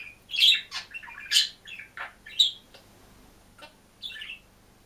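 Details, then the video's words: A budgerigar alone in its cage chirps and sings, giving a cluster of loud bright squeaks and scratchy warbles, then a few spaced softer chirps. "МИЛЫЙ И ЗАБАВНЫЙ ПОПУГАЙ ПОЕТ И ЧИРИКАЕТ/ОДИН В КЛЕТКЕ"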